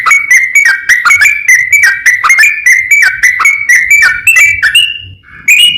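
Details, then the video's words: Sooty-headed bulbul 'ropel panjang' song for calling rivals: a long, rapid run of bright chattering notes, slowing toward the end into a few drawn-out whistles. "suara kicau trucukan ropel panjang memanggil lawan"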